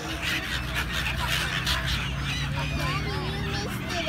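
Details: A gathering of gulls gives brief wavering squeals and slurred mews amid a busy chorus, backed by a steady low hum.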